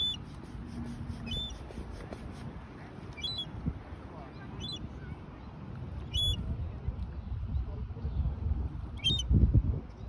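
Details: Baby seagull wandering alone and chirping as though calling for its mother: a quick run of faint, high peeps early on, then single thin chirps every few seconds, half-buried under steady low rumble and background noise.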